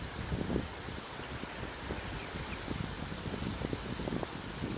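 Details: Wind buffeting and surf rumble on a beach, a steady broadband hiss with low gusty thumps and no clear bird call.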